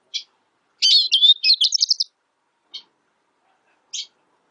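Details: Black siskin (Bolivian siskin) singing a rapid, tinkling twitter of high, slurred and buzzy notes lasting about a second, set off by single isolated chirps before and after; otherwise quiet.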